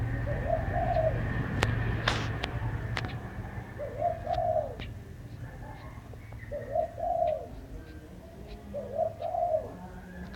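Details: Bird singing: low, soft two-part cooing phrases, each a short note then a longer rolling coo, repeated four times about every two and a half seconds over a steady low hum with a few sharp clicks.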